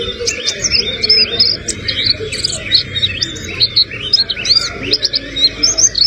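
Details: A white-eye whose song is laced with sogon imitations pours out dense, high, tumbling chirps and looping twitters with barely a pause, set against a soft, steady low background noise.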